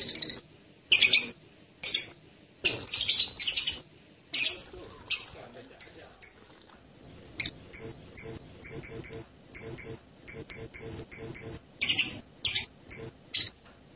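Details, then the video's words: Hanging parrot known locally as serindit: harsh screechy bursts at first, then long runs of thin, sharp, high-pitched ticks delivered in quick clusters. "suara burung serindit"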